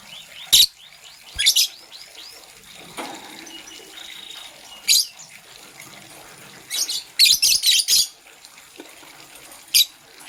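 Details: Morning chirping from green and blue lovebirds: separate sharp, high chirp bursts with gaps between them and a dense cluster late on, plus faint, soft falling whistles in the background.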